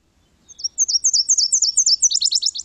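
A Nashville Warbler sings a series of high, thin, two-part whistled notes, then speeds into a quick, dry trill at the end.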